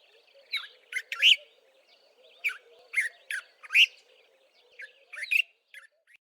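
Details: Dark-capped bulbul (Pycnonotus tricolor), a common Eastern Cape, South Africa bird, gives bright, liquid chirping phrases in short bursts of two or three notes, a second or two apart, over a faint low hum.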